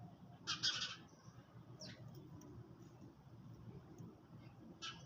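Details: Sparrows eating in early morning: one loud, harsh double chirp, then two fainter high chirps a few seconds apart, with low background hum.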